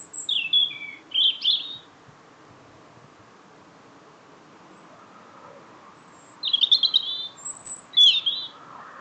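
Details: Greeting song of a small bird after work: two brief clusters of high, sweet chirps open the clip, a long quiet gap follows, then further bright twittering phrases return.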